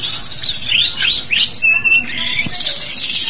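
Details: Canary song meant to coax young canaries to sing; sweeping whistled slurs rising and falling, a short warbled passage, then a bright, high, buzzing trill.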